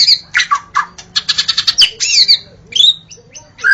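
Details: A white-rumped shama sings in the forest. A rapid series of harsh, stuttering high notes gives way to sweeping whistles and sharp chirps, in a short, energetic gacor burst.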